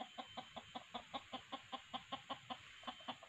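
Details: Red junglefowl lured with a decoy cock and hen sounds: a steady run of sharp, regular clucks repeated roughly five times a second.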